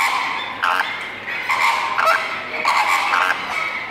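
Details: Greater flamingos calling; overlapping nasal, honking calls in short bursts around one to two seconds apart, several birds at once, over a steady background murmur.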